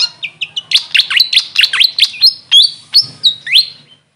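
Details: Rising series of high squeaky chirps from a grey fantail (Maria Capra locally), speeding into rapid V-shaped sweeps, then ending with a few slower upslurred whistles.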